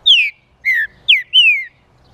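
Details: [['Green-winged saltator song used to rouse other saltators: four whistled notes, mostly falling, the final one longer and drawn out, with a quiet background.']]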